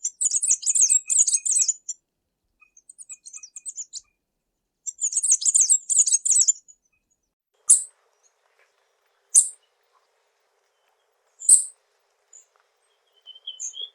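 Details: Latin American tanager delivering high, dense buzzy twittering phrases about two seconds long, repeated after pauses, followed by single sharp, high chips spaced a couple of seconds apart.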